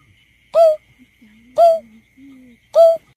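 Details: Greater painted-snipe hoots used to lure birds for surveys: three flat, owl-like hoots about a second apart, with soft low drawn-out tones between them and a faint steady whine.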